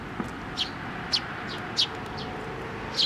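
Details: Young sparrows flying in to a post to be fed at a Tenmangu shrine on 25 May 2024; short high chirps repeated about once every half second over a steady background hiss.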